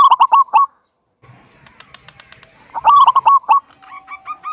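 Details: Local zebra dove with a big, "kung"-style voice, singing to lure other doves into song: a burst of loud, clipped notes, a pause, then a second burst trailing into soft, evenly repeated coos.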